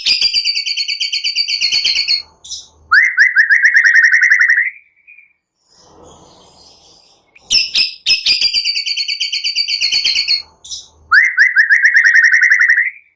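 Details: White-rumped shama singing to provoke other shamas, with cililin and prenjak-style phrases: a loud buzzy trill and a rapid rising chirp run, repeated twice with a quiet noisy break between the two.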